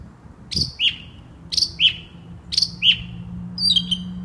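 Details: Nighttime song of a northern mockingbird with a large repertoire, recorded in West Brighton: a sharp two-part phrase, a high note then a lower slurred one, repeated three times about once a second, then a new twittering phrase.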